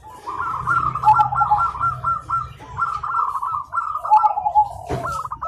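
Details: Zebra doves singing in the morning, answering each other: overlapping runs of rapid stuttering coos around one pitch, one bird's phrases following another's almost without pause, with a faint low rumble beneath.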